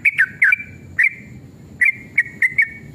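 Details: Short burst of sooty-headed bulbul lure song, agitated 'ropel' style: a pair of quick dipping whistles, a pause, one whistle, then three more rapid whistled notes against low steady hum.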